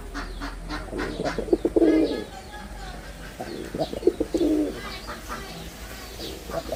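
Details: Performing male red-bordered wild pigeon coos twice, each a gurgling swell preceded by quick clicks, about two seconds apart, with steady high chirping of other birds around.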